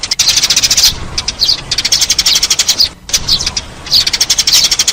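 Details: Eurasian tree sparrow lure sound: clustered sharp chirps repeated in fast strings, with short lulls between the groups.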